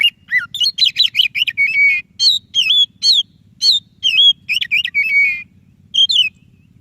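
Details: Energetic white-rumped shama song used to coax a silent shama into singing, with rapid bursts of sharp whistled and chattering notes alternating with short pauses and sweet slurred phrases, a steady low hum underneath.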